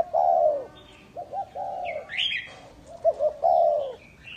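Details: Spotted dove used as a lure bird, giving low, mellow cooing phrases: a long coo, two short notes and a drawn-out coo, repeated. A brief higher chirp from another bird is heard in the middle.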